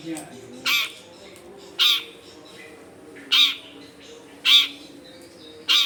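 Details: Long-tailed shrike giving harsh, grating single notes roughly once every second or so, five in all, part of a lure recording for wild shrikes made in a densely populated neighbourhood.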